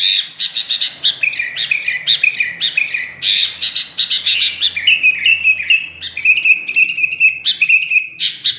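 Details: Energetic sooty-headed bulbul (kutilang) song, called super gacor: a near-continuous run of chirpy whistled notes, then a steadier series of repeated level whistles toward the end, with faint low hum underneath.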